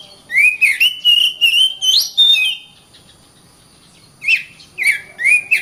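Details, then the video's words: Oriental magpie-robin (kacer) giving dense 'gacor rapat' song: a chain of rising and falling whistled phrases for two seconds, a quiet gap, then three more short upslurred whistles. "BURUNG KACER GACOR RAPAT"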